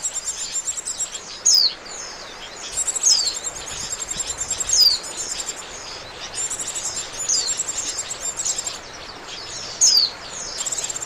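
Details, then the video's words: Oriental white-eye call used as a lure for trapping birds: high, thin descending whistles repeated every couple of seconds, between bursts of rapid high chattering trills, with steady background hiss. "SUARA PIKAT BURUNG PLECI, AMPUH !!"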